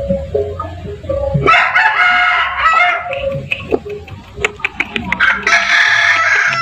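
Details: Cock crowing in a yard, a rough harmonic crow rising and falling over about two seconds, followed by clucks and sharp ticking sounds and a second crow starting near the end.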